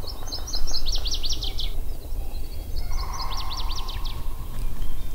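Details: On a calm, sunny early May morning around 35°F at Sax-Zim Bog, Minnesota, in swampy aspen and red maple woods by a beaver pond, a Northern Waterthrush twice sings loud, ringing, emphatic notes that quicken, over a low rumble.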